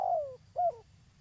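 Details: Local spotted dove, described as a lively, vocal bird suited for use as a lure in trapping, giving two low, mellow cooing notes. Each note slides downward in pitch, with a short pause between them, over a faint low hum.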